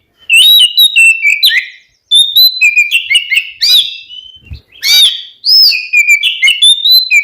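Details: Oriental magpie-robin (Kacer), twin birds, pouring out a rich song meant to stir rivals to respond: varied fluty whistles, rising and falling slurs, and harsh chattering bursts, with one pause early on and a dull thump midway.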